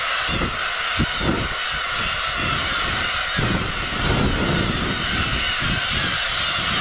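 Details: Black-tailed gulls rising in a flock at Kabushima, Japan, on 13 March 2016; a thick layer of overlapping mewing calls sits over a strong, uneven low rumble and thumping.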